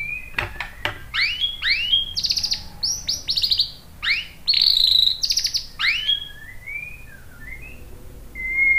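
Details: White-rumped shama song used to lure other birds into answering: clear whistles sweeping up and down, rich warbled phrases, some sharp clicks, a quieter tail of soft whistles against faint background hiss.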